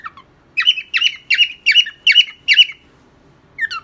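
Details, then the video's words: A pet cockatiel sings six bright, even whistled notes in quick succession, about three per second, each ending in a slight downward slide, then adds a softer falling note. "Calopsita cantando ! cockatiel singing, beautiful bird! オカメインコの歌"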